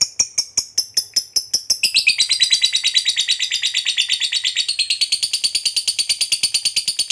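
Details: Lovebird lure combining ticking and long trilling ('ngetik ngekek') to provoke fighter lovebirds: a run of quick sharp high chips speeds into a continuous shrill chattering trill that rises slightly and carries on rapidly to the end.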